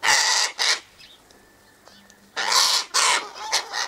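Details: Sulphur-crested cockatoos feeding on tossed sunflower seeds, wheat and birdseed by an eastern gate give loud, grating screeches: two half-second blasts, a quiet pause, then three more harsh squawks in quick succession.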